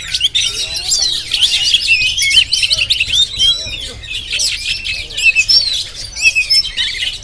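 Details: Jampang-type Oriental magpie-robin filmed with a GoPro, pouring out a continuous high warble of quick chirps, trills and twisting whistles, varied and unbroken across the whole stretch.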